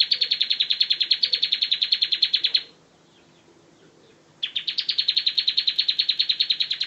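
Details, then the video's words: Bar-winged prinia in ngebren style for bird tutoring: a fast rattle of high repeated chips breaks off into nearly two seconds of silence, then resumes just as rapidly. "suara kicau ciblek ngebren : masteran ciblek ngebren"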